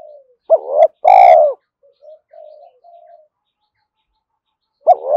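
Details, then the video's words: Spotted dove cooing to stir newly caught doves into calling: one full low phrase of a short wavering note and a long falling coo, several soft coos after, and a new phrase starting near the end. "tiếng cu gáy kích bổi nhanh nổi hiệu quả mỗi ngày"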